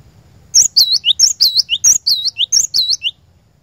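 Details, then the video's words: Glatik batu, the cinereous tit, giving a lure song for caged birds: a brisk two-and-a-half-second series of high, clear looping whistles in repeated pairs over a quiet, low background hum. "PANCINGAN BURUNG GLATIK BATU, DIJAMIN GLATIK BATU ANDA LANGSUNG IKUT GACOR NGEROL"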